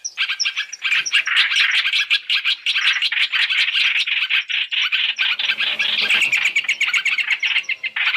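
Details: Lure for trapping masked laughingthrush, three-in-one mix: rough, buzzy chatter with some higher squeaky notes at the start, pulsing quickly and unbroken to the end.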